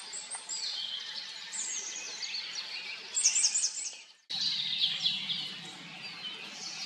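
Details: A pair of Eurasian siskins eating small black insects along a pond's edge at dawn in fog; high thin chirps and twitters over constant background noise, a louder cluster of fast notes, then an abrupt break.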